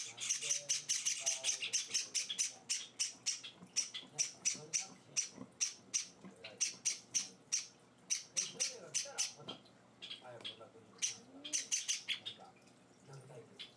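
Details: Java sparrow chicks being hand-fed, four days after arriving in a home, give loud, harsh begging calls. The calls come in rapid bursts several times a second, with short pauses, and there is faint human speech in the background.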